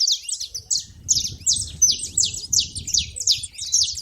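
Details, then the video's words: Saffron finch at a feeder giving clipped high chirps in quick bursts, some notes sliding downward, about one group per second, over faint low noise. "canário da terra fazendo barulho na seva"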